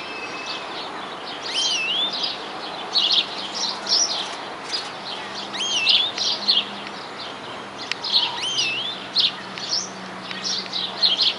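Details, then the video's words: Greenfinch singing nonstop in the wild in New Zealand: bright twittering phrases and wheezy, rising and falling whistled notes in bursts every second or two, with a faint low steady hum beneath. "Greenfinch Sing In New Zealand Wildlife !"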